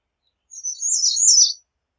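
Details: American redstart song: a single high, thin phrase of rapid sibilant notes lasting about one second, wavering and ending with a slight downward flourish, against a silent background.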